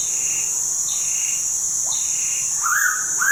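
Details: Pitta at Tha Pom, Krabi, giving short rising whistled notes near the end, set against a loud, steady high insect drone, with faint higher chirps from other birds.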